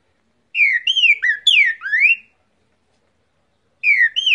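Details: Cockatiel whistling an imitation of the trinca-ferro's song: a run of clear, sliding whistled notes, some falling and some rising, for about two seconds, then a pause before another phrase begins.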